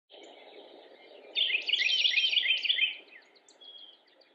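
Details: Carolina wren in Cabarrus County, North Carolina, USA, recorded on a photo walk on 27 March 2017, gives a loud, rapid, buzzy chatter lasting about a second and a half, then a few softer notes, over a steady low background hum.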